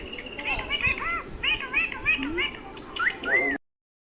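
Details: Pet Indian ringneck parakeet talking indoors: a run of short, bouncing, whistle-like voiced syllables with rising and falling arcs, ending in a few louder upward-sweeping notes before the sound cuts off.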